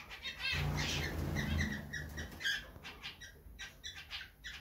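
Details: A male cockatiel in a breeding pair gives short, chirpy whistled notes over fluttering wings, calling the female into the nest box they are preparing for laying; she goes inside.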